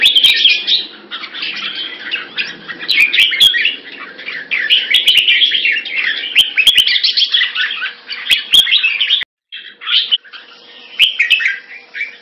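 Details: Red-whiskered bulbul on 2 September 2017 gives rapid, chattering song phrases of jumbled chirps and warbles. A short silent break comes near the end before the song resumes, with a faint low hum in the background.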